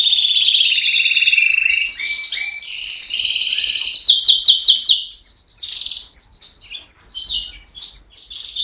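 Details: A canary sings a long, rapid song of high rolling trills and buzzy phrases, with quick chirped notes and brief pauses between bursts.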